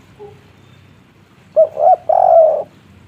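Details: Spotted dove in 'kuk 3' style: after a faint brief note, three coos in quick succession, two short rising-falling hoots then a longer, louder, drawn-out coo, over soft background hum.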